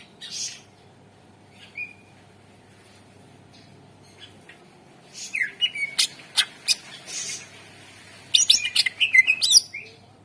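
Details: Lure song of a greater green leafbird, used to prompt birds that have stopped singing: scattered short whistles, then two busy bursts of rapid chips, sliding whistles and harsh buzzy notes after long pauses.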